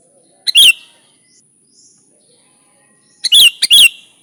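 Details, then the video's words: Lively sooty-headed bulbul (kutilang) song meant to lure bulbuls: one sharp burst with a short lead-in note, then a pause of over two seconds and three rapid chattering bursts close together. A faint constant high whine runs underneath. "Suara Burung Kutilang Gacor ASLI Tanpa isian, Ampuh untuk Pikat bikin kutilang Ribut gacor"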